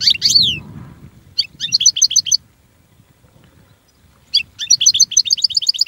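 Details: European goldfinch (Carduelis carduelis) song: a bright downslurred note, then bursts of rapid tinkling, twittering notes repeated in quick even series, with a pause between phrases and faint low rumble beneath.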